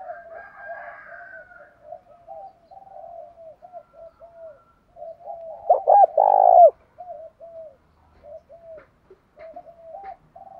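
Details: Spotted dove calls used to provoke fighting and train decoy birds: a steady run of short soft coos repeated rapidly, broken near the middle by one loud phrase of clipped hoots and a long coo, with a brief higher chatter at the start.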